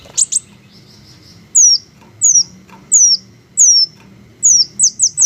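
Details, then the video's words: Green hummingbirds in a natural setting: a rapid pair of very high chips, then a series of thin, high descending squeaky notes repeated about every two-thirds of a second, ending in quicker close chirps. "the melodious sound of green hummingbirds"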